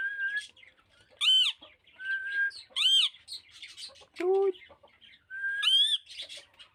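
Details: Pet ringneck parakeet producing alternating harsh harmonic screeches and short rising whistles, plus one lower, cluck-like hoarse note near the end.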